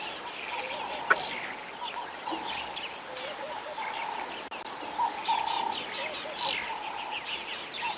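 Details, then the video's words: A bird keeps giving scattered, sharp, high chirping alarm notes behind a lioness on a sunrise safari drive, 30 January 2022, over a steady low engine hum; she drops her tail as if far enough from the alarm. "that bird is still alarm calling behind us"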